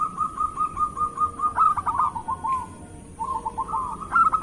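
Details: Local zebra dove singing, played to coax reluctant caged doves into song: a sustained rolling coo breaks into clipped repeated notes, then resumes after a pause with another quick series.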